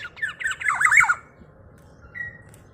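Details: Black-naped oriole calling keenly, a sound said to rile other orioles: a harsh, quavering, nasal squawk of about a second with choppy rising and falling notes. Then a short thin whistle sounds over a low background hum.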